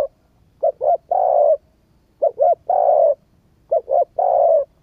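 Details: Decoy-stimulating cooing of a spotted dove: two quick coos then one long, even coo, the three-part phrase repeated about every one and a half seconds.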